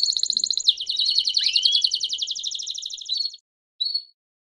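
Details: Belgian canary performing 'campainha' (bell) song used to stimulate other canaries: a high, rapidly pulsed trill for about three seconds with a rising slur midway, then silence and one short closing note.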